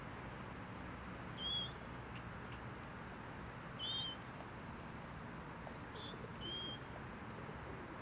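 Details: A common moorhen in Tivoli Landscape Park, Ljubljana, on 25 October 2023 gives three short, sharp, high-pitched calls, roughly one every two to three seconds, over a steady low rumble of distant traffic.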